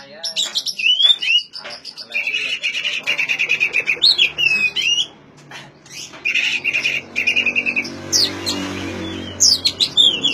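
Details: Oriental magpie-robin singing, used to coax mute magpie-robins into song: rich whistled phrases with slurred up-and-down notes, rapid chattering trills and harsh buzzy bursts, a short pause midway, then more varied high whistles.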